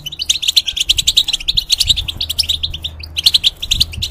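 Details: Caged European goldfinch in full song, used to teach juveniles and hybrids; an unbroken chatter of quick, high tinkling and twittering notes, pausing briefly near three seconds.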